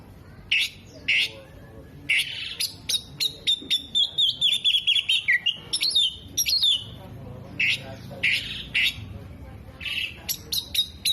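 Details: Oriental magpie-robin singing vigorously with tail spread, delivering mimicked phrases of kolibri, jenggot and lovebird: sharp high chips and rapid twittering bursts, then a long warbled, wavering whistle, then more separated clicks and chirps.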